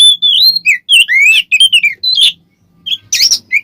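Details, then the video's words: Oriental magpie-robin singing ngeplong as a lure for rival birds: loud sustained and swooping whistles in quick succession, a short pause, then a harsh rasping burst and a final whistle. "suara burung Kacer NGEPLONG pancingan Kacer agar ikutan emosi"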